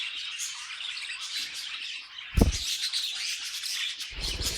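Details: Budgies chattering in a dense high warble, broken by a single loud low thump midway and a duller rumbling noise near the end beneath the continuing chirps.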